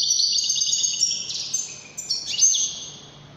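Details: Short stretch of high, chattering goldfinch song, Wydani type, with a few rapid twitters and a thin buzzy trill, then tapering off, over a faint low background hum.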